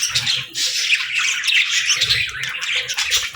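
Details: Pet parakeets and lovebirds greeting the morning with dense, continuous high chirping and scratchy squawks, a busy overlapping chatter, with soft low thumps underneath.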